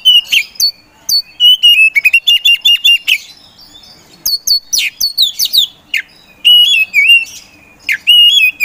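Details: Energetic kacer poci song from an Oriental magpie-robin used to provoke slow birds into singing. A long run of loud, quickly repeated whistled notes alternates with scratchy high chatter and falling slurs, with short pauses between bursts.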